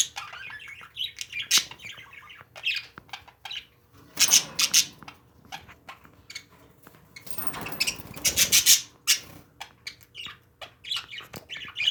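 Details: Pet parakeets chirping and chattering in irregular bursts, broken by two stretches of loud rustling or clattering noise, with sharp high squeaks scattered throughout.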